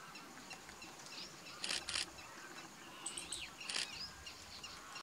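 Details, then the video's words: Male yellow-crowned woodpecker (Leiopicus mahrattensis) at Thol Bird Sanctuary, Gujarat, India, December 2019, giving short, harsh, sharp bursts, two close together then one more, with thin whistles and chirps from other birds behind. "Yellow-crowned Woodpecker (Male)"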